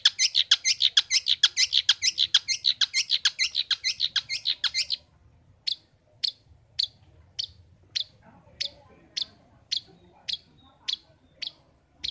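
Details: Caged long-tailed shrike, kept as a pet, in full song: a rapid rattling burst of harsh, scratchy notes about four per second for five seconds, then single sharp chips spaced roughly every half second.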